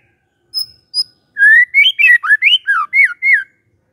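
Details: Magpie-robin lure song meant to prompt a quiet bird to reply: two short high notes, then a rapid run of loud, looping whistles that rise and fall with varied pitch.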